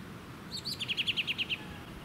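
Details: American robin (Turdus migratorius) filmed at Ludington, Michigan, USA, in June 2019: two high clipped notes, then a quick run of about eight short, sharp, slightly falling notes, with faint wind and suburban noise beneath.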